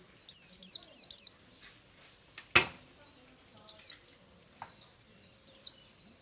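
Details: White-eye in the morning, singing ngalas: high, thin, descending whistled notes in quick bursts of two to three, with one sharp click midway and faint background murmurs.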